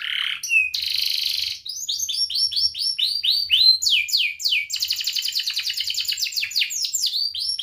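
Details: Ngerek-style canary song used to lure other canaries into singing, including young learners: a low note, a harsh buzz, then a long run of quick descending sweeps speeding into a fast rattling trill.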